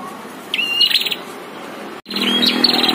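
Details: Caged and wild prinias clash in a heated duel. Two bursts are heard, each a thin high whistle that breaks into a rapid rattling chatter, with a brief silent gap between them.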